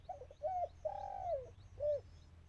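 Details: Decoy dove calling in Thailand to lure wild birds, with a storm arriving later: three low, hollow cooing notes, the middle one long and level, over a steady low rumble.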